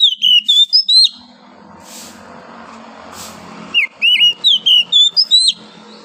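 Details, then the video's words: Morning song of a wild forest oriental magpie-robin: a few quick bright whistles, a gap filled by low background hum, then a renewed burst of about eight clear, varied whistled notes in quick succession. "OCEHAN KACER DIAPAGI HARI, suara asli kacer hutan liar"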